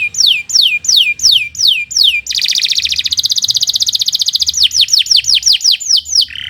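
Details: Canary giving a long, fast master song for training other birds: measured falling whistles, a rapid buzzy trill, then quicker downslurs and a final low buzz.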